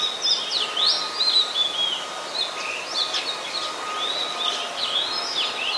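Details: Oriental magpie-robin singing in Ubon Ratchathani, Thailand, on 26 December 2020: sweeping V-shaped whistles and arching slurred notes in loose phrases, with a soft constant hum.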